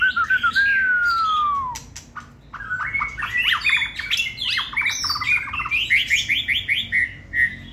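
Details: Hand-held caged white-rumped shama bred for singing contests opens with a long clear whistle sliding downward, then races into quick varied chips and trills, rising and falling in pitch, in a small indoor space.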